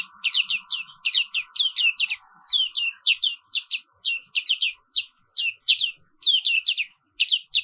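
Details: Morning singing of a black-capped white-eye (Zosterops atricapilla): repeated groups of rapid high falling chirps, three or four per burst, coming in an almost continuous stream over a faint steady hum.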